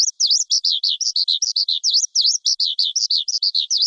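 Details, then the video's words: Brisk, high lark song of up-and-down slurred notes, some V-shaped, repeated almost three times a second in an uneven, bubbling flow. "Tiếng chim Sơn Ca hót"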